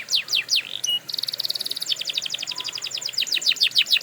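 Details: Canary song for training canaries: rapid descending whistled sweeps, then a fast dry buzzing trill, then repeated high falling notes at a quick steady pace.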